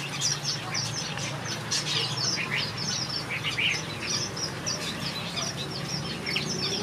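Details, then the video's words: Finches in a backyard aviary singing together: a dense, steady chorus of short, high, bright chirps and twittering notes that overlap continuously, with a low background hum throughout. "Watch these finches sing a beautiful melody in my backyard"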